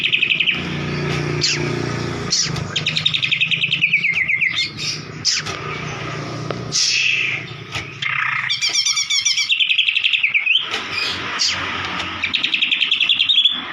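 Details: Shama song meant to stir a non-singing bird: scattered whistles and slurred notes, a dense buzzy rattle mid-way, then rapid chip series and a rising whistle, with a constant low hum.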